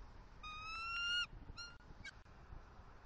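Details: Bald eagle pair at a Southwest Florida nest on October 28, 2023, male delivering fish gifts: a longer high whistled call growing louder, then a short second note and a faint squeak.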